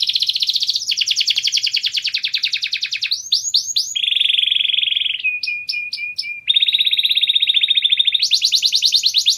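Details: White canary singing for mating: a long varied song of rapid high trills, a run of sweeping upslurred whistles, a steady lower rolling trill, clear spaced upward notes, then quick trills again.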